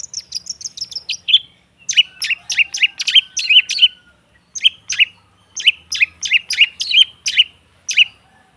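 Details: Long-tailed shrike song used as a therapy lure to get silent birds singing: a rapid high twittering opening, then clustered bursts of sharp downslurred chirps with short pauses between groups.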